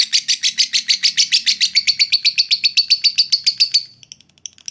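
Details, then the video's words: Lovebird giving a long 'ngekek' trill meant to provoke rival fighter birds into arousal: a rapid, high, even series of chattering notes repeated about four times per second for four seconds, then a few scattered short chirps. "suara lovebird ngekek panjang"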